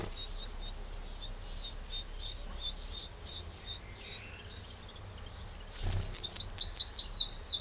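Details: Eurasian wren in a Burgundy garden, France, 31 May 2023: a quick run of thin, high, repeated tick notes that pause, then a brisk, loud, rattling trill near the end.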